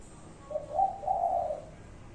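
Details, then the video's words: Spotted dove cooing, a single brief phrase of soft, low, hollow notes running together, from a five-note 'cục... cu cu... cu... cu' call, with a quiet steady background. "chim cu gáy 5 tiếng. cục... cu cu...cu ...cu"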